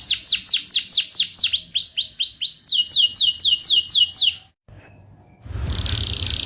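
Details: Canary song played to prompt silent canaries into singing: a fast trill of loud, high downward-sweeping notes, about four per second, then a brief pause and a harsh buzzy rattle.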